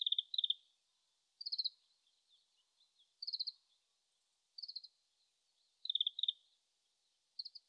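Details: Wild Oriental greenfinch in Japan in late March, distant and still practising its song, recorded with a shotgun microphone: short quiet bursts of quick twittering notes, each phrase about half a second long, repeated every second or two.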